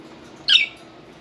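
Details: Pet budgerigar indoors around bath time gives a single short, harsh squawk lasting about a quarter second, with quiet room background before and after.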